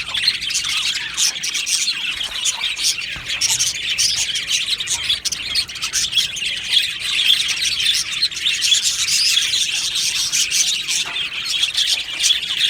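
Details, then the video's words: Aviary full of budgerigars singing and chirping, an unbroken high chatter with scattered harsher squawks rising above the flock noise. "Beautiful Happy Budgie singing and chirping sounds"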